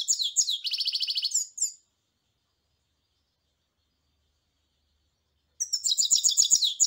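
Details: Goldfinch singing a rapid, high twittering phrase that includes a dry, buzzy trill, then a long pause before another bright jangling phrase. Faint low clicks are audible beneath the later phrase.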